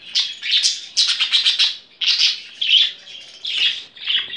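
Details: Indoor pet budgerigar, a hen excited by budgies on a laptop and playing with the machine: loud, harsh squawky chirps in rapid clumps separated by brief pauses.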